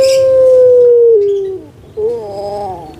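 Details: Captive puter pelung collared dove from Java, used to encourage lazy birds to call: a long steady coo that slowly falls in pitch over about one and a half seconds, followed after a pause by a wavering phrase.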